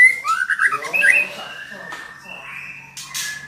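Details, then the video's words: Female white-rumped shama calling to stimulate a male to sing: a rapid burst of warbled, chattering notes at the start, then thin sustained whistles and a brief rustle. "Suara murai betina memancing murai jantan gacor"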